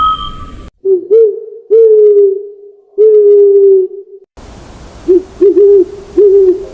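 An owl gives low, drawn-out hoots that rise and then hold steady, followed by a quicker run of short hoots over a hissing background. A brief steady tone opens.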